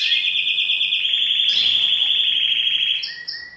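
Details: Male canary singing to a female to stimulate her into mating posture; a loud, sustained high trilled roll held at nearly one pitch for about three seconds, then breaking into shorter, shifting notes.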